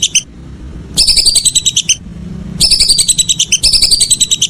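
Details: Whistling duck calling in the evening: bursts of rapid, high, thin whistled notes in quick chattering series, with short pauses between runs and a faint low rumble underneath.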